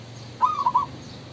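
A male Spotted Dove gives a brief soft cooing phrase of three mellow hooted notes, the last two rising and falling, over a quiet low background hum.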